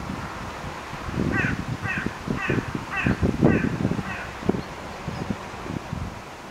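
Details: Crows meeting in September, a run of about seven hoarse caws spaced under half a second apart, over loud low rumbling and knocking sounds.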